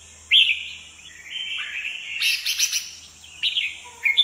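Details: Red-whiskered bulbul, a kept bird in a highly aggressive state, dancing along the perch with wings spread; a sharp start gives way to a long sweeping warble with buzzy notes, then short chirps, over a faint high hiss.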